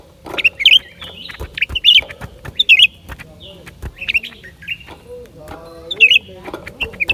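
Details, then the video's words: Lesser green leafbird singing, January 2023: a busy run of sharp, squeaky whistled notes and short slurred phrases, rising and falling, repeated every half second or so amid steady clicking noises. "เสียงนกเขียวกลาง ปีกสีฟ้า suara cucak ranting"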